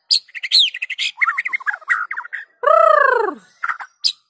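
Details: Energetic white-rumped shama singing, meant to prompt other shamas to join in: a rapid jumble of high slurred whistles and chattering notes, then one long harsh descending rasp and a few final chips.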